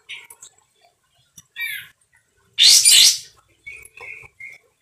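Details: Sooty-headed bulbul with a loud, harsh voice: brief scattered whistles lead into a long, intense double rasp, followed by a few clear, short whistled notes.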